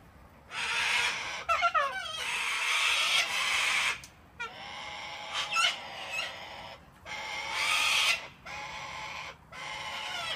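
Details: Flock of wild cockatoos being hand-fed on a home deck in Australia on a cold, wet winter day; harsh, raspy screeches of about a second each overlap in bursts, with a few shorter chattering squawks between them.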